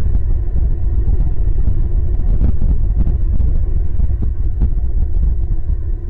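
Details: Loud, continuous low rumble of wind on the microphone with buffeting thumps and no animal sound.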